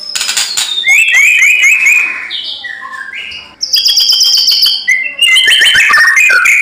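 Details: White-rumped shama in fierce song: rapid varied whistles and trills, descending slurred notes, pure held high tones and dense twittering chatter, nearly continuous.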